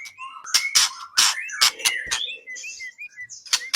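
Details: White-rumped shama song recorded for training contest songbirds: a rapid mix of rising whistled notes and loud scratchy rasps, ending in a run of short downslurred whistles.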